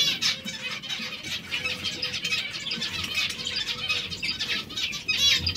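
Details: Hungry zebra finches in a steady, busy chorus of short nasal chirps from many birds, with faint tapping and rustling in the background.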